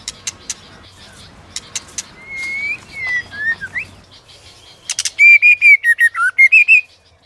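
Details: Female white-rumped shama rousing a male to duel in song: sharp ticks, a run of slurred whistles, a rasping burst, then a loud series of clear, slightly descending whistled notes with rich overtones.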